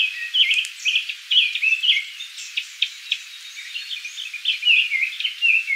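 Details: A Japanese thrush in Kiyokawa village, Japan, sings a lively, unbroken run of varied whistled and warbled phrases, mid-to-high pitched and mixed with short sharp chips.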